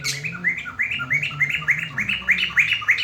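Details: Black-throated laughingthrush at midday, a very loud singer kept as a tutor bird, giving a rapid series of bright upslurred chirping notes, about three each second, over a steady low hum.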